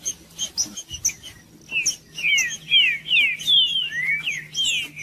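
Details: Singing trinca-ferro (Green-winged Saltator), a bird favoured by song-tournament breeders, meant to stir a cold bird into song: scattered clicks at first, then a strong series of rich whistled swoops, falling and rising, over a low constant hum.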